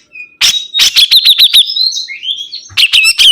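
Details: Energetic sibuntung bird song: loud sharp chips, then a fast string of high slurred notes blending into a wavering whistled trill that drops and rises, followed by another burst of rapid bright notes.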